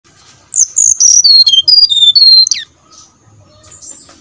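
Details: Brown-chested jungle flycatcher song used as a lure to make other flycatchers sing: a rapid run of clear, high whistled notes stepping downward, ending in a short slurred note, followed by quiet.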